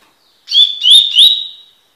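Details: A single double-collared seedeater phrase: three linked whistled notes, slightly rising and slurred, delivered in just over a second in a clean quiet recording.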